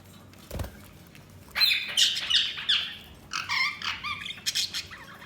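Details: Budgerigars chirping in a busy run of buzzy, scratchy warbled notes and rapid squawks, preceded by a single thump.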